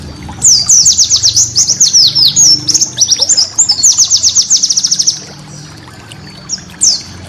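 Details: Cage-bird training master song of a white-eye with prized rapid bursts. Varied high, sharp, downslurred notes tumble quickly for about five seconds in uneven runs, then two isolated chips follow after a pause.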